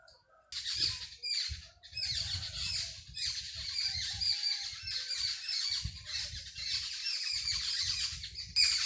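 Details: Sparrows chirping in a village in the early morning: a dense, continuous chorus of high, rapid chirps and squawks with brief pauses, plus low rumbling background noise.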